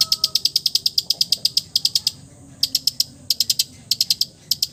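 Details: Long-tailed shrike, a bird said to imitate every kind of birdsong, producing rapid rattling bursts of sharp, evenly spaced high ticks, several bursts separated by short gaps.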